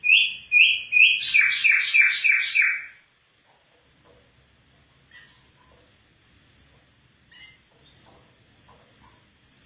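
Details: Afghan bulbul voice: loud, rapid run of bright chirping notes for about three seconds, then silence broken by faint, thin high notes and soft chirps.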